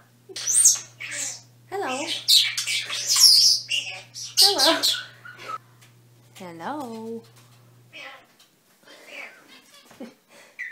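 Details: Pet common starling under a year old, indoors and just learning to talk, giving scratchy high chatter and wheezy squawks, then slurred voice-like phrases, probably attempts at "hello" or "meow", over a faint electrical hum.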